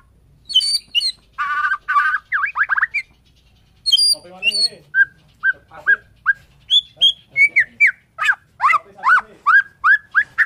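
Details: Bornean white-rumped shama singing in the morning: a varied run of clear whistled phrases, buzzy trills and upslurs, ending in a steady series of short whistled notes repeated about twice a second.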